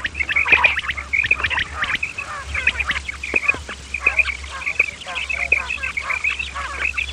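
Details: Male and female common quail calls used to lure quail for hunting: a steady stream of short, clipped notes at one mid-high pitch, several callers overlapping, with scattered clicks and a low electrical hum.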